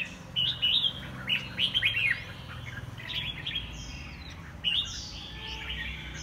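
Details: Caged white-rumped shamas in a home singing contest: short whistled and warbled phrases rise and fall, with gaps between bursts, over steady low background hum.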